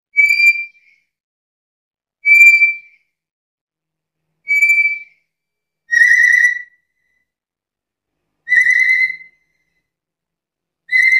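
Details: A chatty black-capped lory gives loud, shrill whistled calls, about one every two seconds; the first few are clear and level, the later ones harsher and more rasping.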